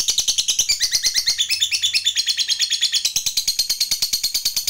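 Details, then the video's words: Lovebird of the fighter type singing a long chattering song, used to stimulate other lovebirds to sing: a fast, even stream of sharp high clicks and chirps, about three per second, with squeaky overtones throughout. "BANYAK LOVEBIRD LANGSUNG BUNYI, Setelah DI RANGSANG Dengan Suara Lovebird ini"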